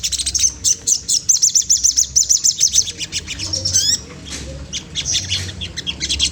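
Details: Singing magpie-robin (sogon trotol) goading a rival: a steady series of quick, bright repeated notes for about three seconds, then a rising whistle and softer scattered chirps.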